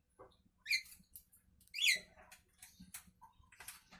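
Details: Javan myna in the morning giving a few loud, grating squeaky notes in quick irregular succession within four seconds, with softer chattering between them and a faint background hum.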